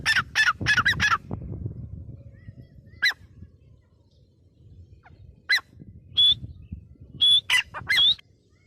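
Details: Grey francolin, or teetar, with a burst of harsh squawking notes at the start, then a quiet stretch, then scattered sharp calls and short whistled notes toward the end over low background rumble.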